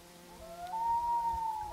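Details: Common loon on Gavia Lake, 2011, a single long, pure, whistled note that slides up slightly and holds steady, heard over quiet low background noise.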